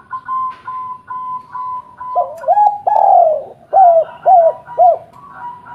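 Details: Local spotted dove cooing, a recording meant as a lure to make other doves answer: a row of steady mid-pitched tones, then deeper hollow coos repeated roughly every half second over a low background hum.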